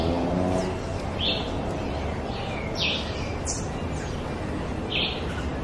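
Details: Rose-throated becard searching for food in Costa Rica, giving brief, thin high chirps and faint slurred notes spaced one to two seconds apart, over a steady low rumble of traffic or wind.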